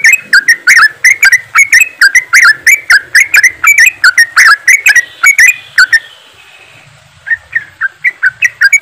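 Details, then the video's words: Yellow-vented bulbuls in a group, ropelan chattering played to trigger singing: dense bubbly whistles for six seconds, a brief lull, then the rapid notes resume. "TRUCUKAN ombyokan,TRUCUKAN ROPELAN untuk bahan cepat bunyi"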